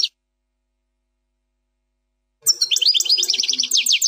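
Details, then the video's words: Plak mine style European goldfinch song, error-free: a long silence, then a fast run of repeated high, rising chirps that continues to the end. "chant plak mine ,canto del jilguros plak mine,غناء حسون بلاك مين بدون غلاطات"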